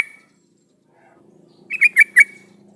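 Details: Yellow-vented bulbul song used as a lure to get other bulbuls to reply and sing: a single quick run of four bubbly chirped notes after a near-silent start, over a faint low hum.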